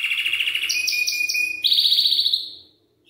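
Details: Belgian canary, singing to prompt youngsters to sing: a pulsing lower trill, then a sudden jump to a brighter, faster high roll that fades out.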